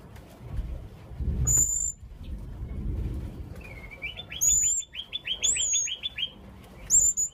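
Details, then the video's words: Young blue-crowned hanging parrot calling: a fast series of about a dozen short, high, rising chirps in a rapid trill, with several very high thin whistled notes before and after, over faint background rustling. "burung serindit muda rintik suara memanggil"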